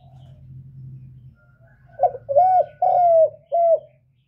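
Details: A decoy spotted dove cooing to draw in a wild dove gives four soft, hollow coos, the middle two drawn out and slightly falling, after a low hum fades away.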